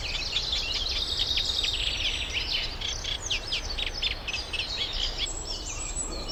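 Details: Reed warbler singing to win a mate at Middle Street Meadow nature reserve, UK, during pairing season; hurried rhythmic chatter of gritty repeated notes, about three or four per second, fading toward the end.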